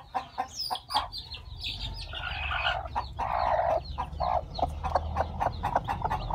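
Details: Farm hen with newly hatched chicks; a run of short clucks and a longer harsh churring note from the hen, over steady faint chick peeping.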